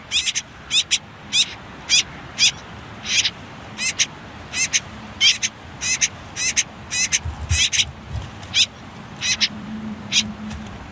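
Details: Common whitethroat nestlings on their last day in the nest, hidden under reeds and nettles near a river: high, thin, scratchy calls repeated about twice a second in a steady series, with a faint low hum behind.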